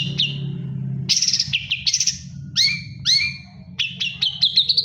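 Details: Long-tailed shrike singing while moulting: varied sharp chirps, buzzy bursts and downslurred whistles, ending in a quick series of high rising notes, over a low steady hum.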